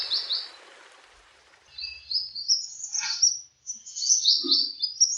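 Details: Wild mountain white-eye singing, a natural master recording for tutoring other birds: a short high trill, a pause, then a long run of rapid high-pitched twittering slides, with a brief lower note and a faint soft sound.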